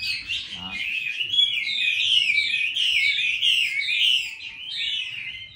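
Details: Chinese hwamei kept at home in Hanoi, Vietnam, pours out a steady, dense song of high slurred whistles and quick trills with hardly a pause; a brief low buzzy sound near the start.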